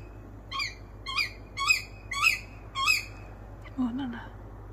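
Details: A Tawny owl perched in a tree by a village house at 2 a.m. at summer's end gives five hoarse, rasping screeches about every half second, then a person speaks softly nearby; it has visited and screamed nightly for two weeks.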